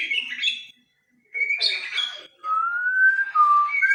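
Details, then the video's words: Captive-bred white-rumped shama singing short whistled phrases: a bright warbled burst, a pause, then buzzier notes and long, clear, level whistles that rise and fall slightly near the end. "muray batu suara mantap"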